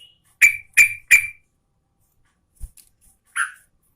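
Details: Female Yellow-vented Bulbul calling the male, a quick run of three strong bubbly notes, a pause, then one softer chirp.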